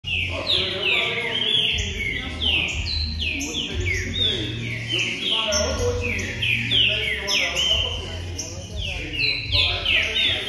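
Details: Green-winged saltator song used to warm up a pet bird: many overlapping loud, clear whistled phrases sliding downward, densely layered as if several birds sing together, over a steady low hum.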